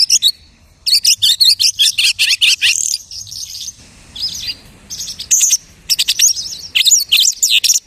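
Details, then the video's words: A lark imitating other birds sings fast, stuttering chirp series, drops to a quieter warble, then returns with high, varied whistles and trills. "The lark imitates the singing of hundreds of birds."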